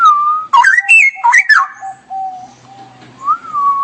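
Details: Straw-headed bulbul singing 'gacor' in 'ngerople' style: a bubbling burst of loud, rich warbles that swoop up and down, set between a level whistle, a lower steady note and a final rising whistle.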